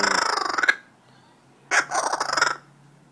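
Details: A tame wild Laughing kookaburra outside a house, gripping a person's finger in possible male dominance behaviour, gives two harsh, rapidly pulsed cackling bursts, each under a second, separated by a brief silence.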